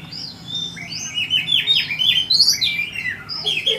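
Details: Oriental magpie-robin in full song, delivering a continuous run of varied whistled phrases, quick downslurred chirps and trills, with a faint low hum underneath.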